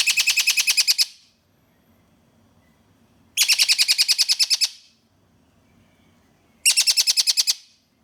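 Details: Juvenile Malabar parakeets, pet birds in juvenile colouring, described as noisy: three loud rapid trains of harsh, buzzy chatter, each about one to one and a half seconds, spaced roughly three seconds apart in a quiet room.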